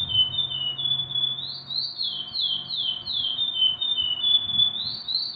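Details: Curió, or chestnut-bellied seed finch, delivering unbroken whistled song: level, fluty notes at first, then a run of quick descending slurs repeated about twice a second, returning to steady whistles; soft low background hum.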